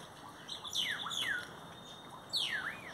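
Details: Great-tailed grackles singing near a Brugmansia aurea tree: two bursts of sharp, steeply falling whistles followed by a rising slur, with a thin steady tone between them. Great-tailed Grackle.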